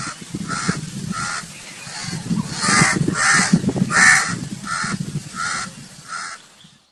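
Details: Repeated harsh cawing from a crow, many calls in an uneven run roughly every half second, over steady low background rumble.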